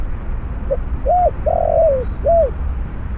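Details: Spotted Dove during a snare-cage trapping session with a decoy bird: a faint short note, an arched coo, a long rolling coo, then a final arched coo, over a low background hum.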